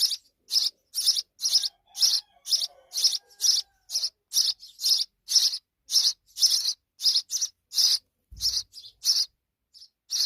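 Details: Sparrow mother and her young: insistent high-pitched chirping repeated about twice per second, thinning out near the end, with a single dull low knock just past eight seconds.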